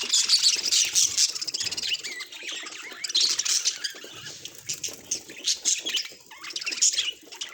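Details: Domestic budgerigar warbling busily: rapid high chirps, clicks and short squeaky notes run together, with a few louder bursts near the start and end and brief quieter dips between.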